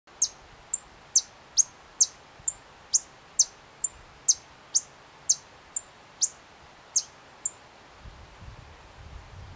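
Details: White-vented violetear (Colibri serrirostris) calling in Candói, Paraná: sharp, very high chipping notes repeated at slightly uneven intervals, about two per second, some notes clipped shorter, with faint low rumble near the end.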